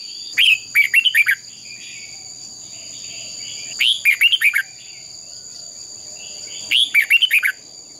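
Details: A Red-whiskered bulbul sings its fighting song in three brisk phrases, each a quick cluster of five sharp, slurred whistles, spaced about three seconds apart, over steady high electronic-like tones.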